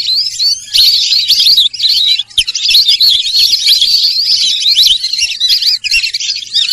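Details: Sarail bird calling steadily with bright, high wavering whistles and chirps, building into a continuous twittering stream after a softer start.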